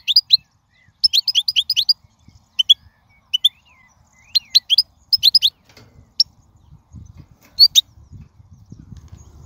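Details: Wild goldfinch song, liquid high twitters delivered in rapid clusters of five or six notes with short gaps, growing sparser toward the end as low rumbling background noise rises.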